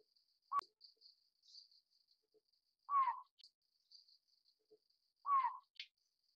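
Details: A juvenile Collared Scops Owl (Otus lettia glabripes, Taiwan subspecies) gives short, raspy, falling wheezes about every two and a half seconds, over a steady high insect trill.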